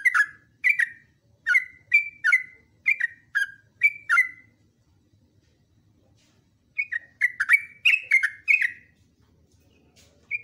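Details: Trucukan (yellow-vented bulbul) in a long training song: a run of crisp downslurred whistles, then a silent pause of nearly three seconds, then a faster burst of tumbling whistled notes.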